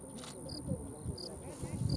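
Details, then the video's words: Sprague's pipit (Anthus spragueii) at King Ranch Norias, Kenedy County, Texas, 9 November 2014, gives three brief, high squeaky notes about 0.7 seconds apart, over a low rumble and a steady thin hiss. "Sprague's Pipit"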